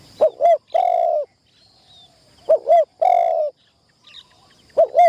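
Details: Caged spotted dove on its first decoy-trapping practice: repeated phrases of two quick rising-falling coos and a longer level croon, about every two and a half seconds, with faint background chirps.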